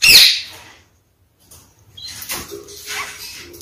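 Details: Red-fronted kakariki from a captive pair, the male rushing to peeled, cut apples with his mate after a bath: one harsh, rasping squawk, then quiet, with softer scratchy rustling and faint chatter.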